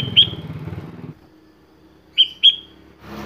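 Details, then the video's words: Sooty-headed bulbul delivering varied song phrases: a single sharp whistled note over low murmur, then after a pause two more short bright whistles close together, with a noisy burst at the end. "KUTILANG GACOR BONGKAR ISIAN"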